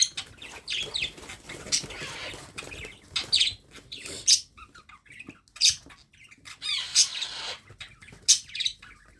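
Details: Young parrot being hand-fed, uttering high, shrill chirps and hoarse squawks in uneven bursts, roughly forty-five a minute, separated by brief silences.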